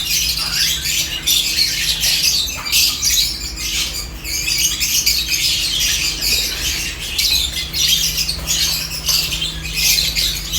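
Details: Seventeen lovebirds busy with corn give bursts of sharp, clicky chirps and squeaks that pulse in waves through the flock's chatter, with a low hum beneath.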